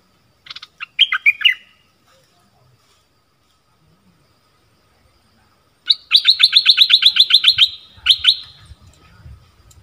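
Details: Stripe-throated bulbuls on 1 April 2021, caged and wild birds answering each other: a short warbled phrase, a pause, then a fast even run of a dozen sharp repeated notes with one more note after it.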